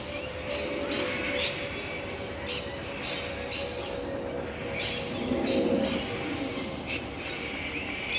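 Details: Sulphur-crested cockatoos in Lane Cove National Park, Sydney, Australia, where a large population lives; harsh broadband squawks burst out irregularly over several seconds above steady background hiss and a low constant hum.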